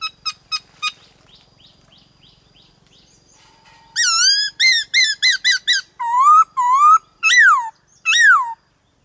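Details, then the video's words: White-cheeked laughingthrush song used to train young birds toward a wild-style voice: a few sharp notes and faint chatter first, then a loud burst of rapid arched whistles, drawn-out upslurs and falling slurs. "Khướu bạc má Hót Đảo Giọng kích bổi cực nhạy/Luyện khướu bạc má hót giọng chuẩn rừng"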